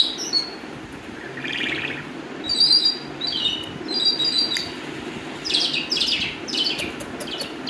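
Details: Calandra lark (Melanocorypha calandra), song.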